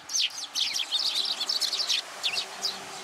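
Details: Young sparrow flown to a plum tree to be fed at a Tenmangu shrine, 15 June 2022: rapid, sharp, high chirps in close bursts, almost unbroken across three seconds.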